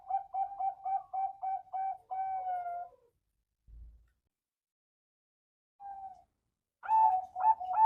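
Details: Caged male zebra dove from a Bantul, Indonesia breeding farm delivers a string of about eight evenly spaced staccato coos ending in one longer sliding note, then silence and a faint, short resumption.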